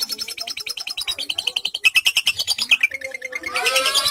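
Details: Javan pied starling (jalak suren) singing vigorously with lovebird imitation worked into its song: fast, regular chattering chirps, roughly three per second, high and scratchy, ending in a denser burst of harsh twittering.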